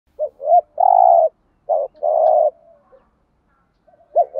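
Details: Spotted dove giving the thúc gù cooing in the Thổ voice style, used as a decoy call for trapping birds: short low coos, then long steady hollow coos, two phrases separated by silence, with no other sounds.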